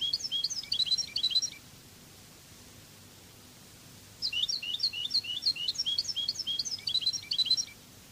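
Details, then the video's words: Cádiz-style European goldfinch song in the Spanish song language: two bursts of dense, rapid, high tinkling twitters, each about one and a half to three and a half seconds long, separated by a pause of about two and a half seconds. "CANTO DE JILGUERO CADIZ شريط لغة الحسون الإسباني قادس"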